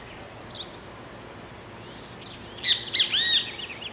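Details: Great kiskadee (bem-te-vi) singing in countryside near Pirenópolis, Goiás, Brazil: three loud, sharp, slurred notes close together near the end, after a few faint high chirps from other birds.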